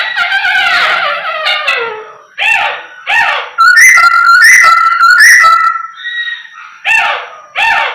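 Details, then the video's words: Chinese hwamei in full, energetic song used to provoke other pet birds into singing: loud clear whistles, some held and level, others sliding, broken into bursts about a second long with short pauses. "OCEHAN Poksay Hongkong Gacor Efektif Bikin Burung Kesayangan Bos q Ikut Emosi + GACOR"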